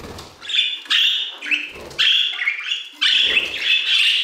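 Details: Budgerigars singing in an aviary: bright, short chirps about once a second, some sliding upward, set against a low, soft background murmur.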